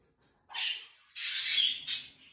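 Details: A female albino cockatiel gives three harsh, raspy screeches in quick succession, the middle one longest, with nothing else heard.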